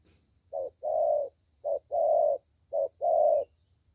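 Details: A good-voiced thổ tơ spotted dove sings three paired coos, each a clipped short note followed by a drawn-out mellow one, with a faint hum underneath.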